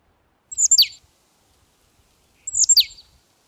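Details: Two loud, sharp downslurred calls of a Eurasian nuthatch (Sitta europaea), each a quick cluster of high notes dropping in pitch, about two seconds apart in near silence.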